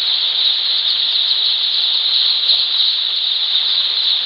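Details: Newly hatched baby chickens on day one of brooding on a poultry farm, many chicks calling at once; constant high-pitched cheeping overlaps into a continuous shrill chorus with no pauses and no other clear sounds.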